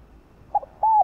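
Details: Spotted dove lure call for provoking other doves to coo; a short soft note followed by one sustained, level, hollow coo with a slight fall at the end.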